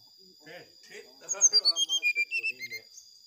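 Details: Brown-chested jungle flycatcher singing to provoke rivals into quick, agitated responses: after brief low murmuring, a fast run of about a dozen sharp whistled notes steps downward in pitch, lasting roughly a second and a half.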